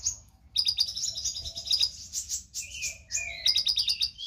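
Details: Konin lovebird in vigorous song, intended as training material for songbirds: continuous high chatter of squeaky, buzzy trills and short whistled slurs, rising and falling in rapid bursts.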